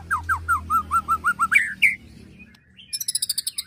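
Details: Agitated white-rumped shama ketrekan song with cililin and prenjak fill-ins, used for training birds: evenly repeated slurred whistles about three per second, rising louder notes, then a quick high chipping burst.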